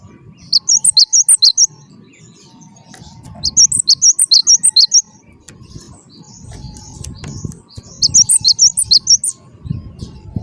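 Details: Gelatik batu (Cinereous Tit), wingko type, repeating three separate bursts of rapid, high, sharp alternating notes a few seconds apart, with low rumbling background noise and a faint steady hum.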